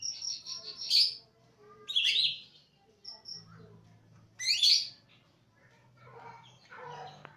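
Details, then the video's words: Greater green leafbird from East Java delivering varied song: scattered high chirps and sharp rising sweeps in separate bursts, interspersed with softer twittering and a low hum in the background. "Burung cucak ijo jatim tembakan cililin"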